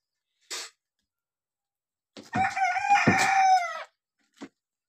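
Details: Red rooster giving a single long crow of about one and a half seconds, harsh and strained with a sustained wavering tone, framed by short sharp noises before and after.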